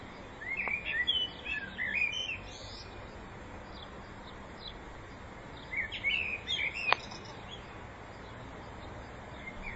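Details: Spring song of a common blackbird, recorded in 2014: two short bursts of mellow, twisting whistles several seconds apart, set against steady outdoor noise.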